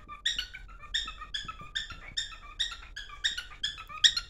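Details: Domestic cockatiel singing as it runs to its mate: bright harmonic chirps alternating with a lower steady whistle, pulsing roughly every half second, quiet indoor room.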